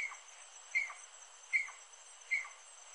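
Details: Four evenly spaced, crisp notes with short falling tails from a rufous-necked wood rail, roughly 0.8 seconds apart, over a light continuous hiss.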